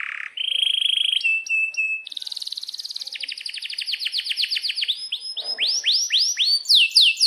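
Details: Canary singing a long rolling song in breeding condition: sustained whistled tones and chips, then a rapid pulsed roll, then repeated sweeping downslurred notes that grow louder and spaced wider, about four per second. No other sounds.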